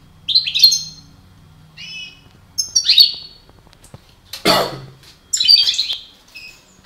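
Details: Goldfinches of the parva form kept as a breeding pair give high, tinkling chirps and short whistled notes in irregular bursts, broken once by a coarse cough-like rasp.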